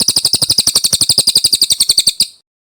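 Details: Brown cililin song from a master recording meant for training other birds: a rapid run of bright, high, clipped notes, about eight to nine per second, fading at the end.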